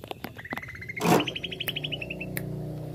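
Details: Greater green leafbird in jamtrok style: a rapid train of repeated notes stepping upward then easing down, briefly masked by a loud rushing burst, over a low hum.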